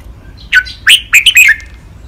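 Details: Caged red-whiskered bulbul giving a clear five-syllable master song of the lak wai style, recorded for training birds: five short, bright, slurred whistled notes delivered in about one second over a quiet background.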